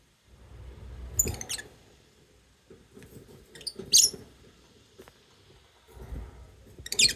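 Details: Lovebirds chirping and singing: a few shrill, sharp high squeaks in short bursts, separated by quiet gaps with a low background rumble.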